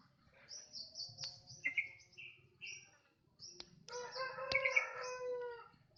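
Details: Bird singing a crocokan-style song: high thin whistled notes, then lower slurred whistles, followed by a rich warbling phrase with layered harmonic tones near the end.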